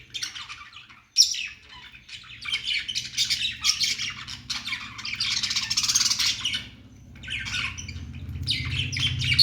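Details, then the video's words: Singing budgie chatter, described as happy chirping: a sharp squawk, then a long stretch of dense raspy warbling and crackling twitters that rise and fall in loudness over a low background hum. "Budgies singing"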